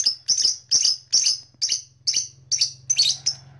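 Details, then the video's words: Blue black-masked lovebird calling in a steady series of loud, rasping high chirps, about two a second, over a low steady hum. "Beautiful Lovebird Long Chirping Sound - Blue Black Masked Lovebird"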